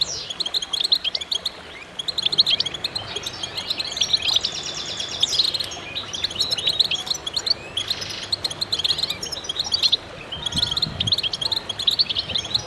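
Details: Goldfinches heard as a chorus in concert, many voices overlapping in rapid high twittering, liquid chirps and brief trills, steady throughout with small swells in intensity.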